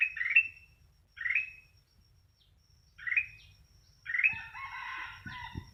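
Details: Sooty-headed bulbul singing: short, bubbly, slightly rising phrases in the middle pitch range, four bursts separated by pauses, the last one longer and more rippling, with faint low rumbling underneath.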